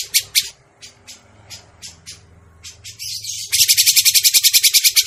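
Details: Grey-cheeked bulbul lure call used for trapping birds: sharp high chirps spaced about every third of a second, then a fast, harsh buzzing rattle of evenly pulsed notes, with a low hum beneath.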